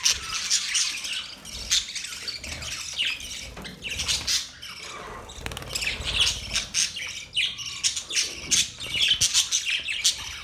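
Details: Chattering budgerigars: busy, scratchy warbling and squawks rising and falling in bursts over ten seconds, with several callers overlapping.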